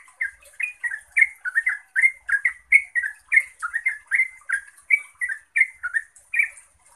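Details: Yellow-vented bulbul, Pycnonotus goiavier, in continuous rapid song meant to draw other bulbuls into answering: a steady stream of gurgling, warbled two-part chirps, roughly two to three per second, with a thin high hiss throughout.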